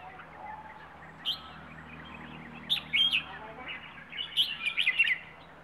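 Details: Rayong wild bird delivering a plai ho song, with separate bursts of sharp chirpy warbling spaced a second or two apart against a faint background hum.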